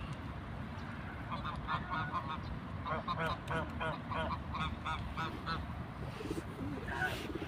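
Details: Ducks outdoors in nature, calling in a steady string of short, nasal quacks at roughly three per second through the middle, set against constant low background rumble, with a brief higher squeak near the end.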